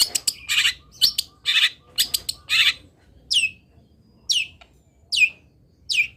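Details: Local long-tailed shrike (cendet) from Pati, Indonesia, in a master recording of its fill-in song. Harsh, broadband scratchy bursts come first, then four sharp, high whistled notes that sweep steeply downward, spaced about a second apart.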